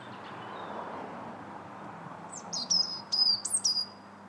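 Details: European robin singing in January (21 January 2017), heard from a bridge in the Linear Park, Bath: a brief burst of thin, high, liquid notes in several quick whistled phrases sliding up and down, over a low steady background rumble.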